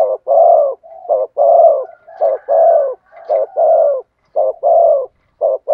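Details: Thổ sấm style song of a spotted dove: continuous loud phrases of short notes and long throaty coos, repeated almost once a second. Faint thin higher whistles run behind the cooing.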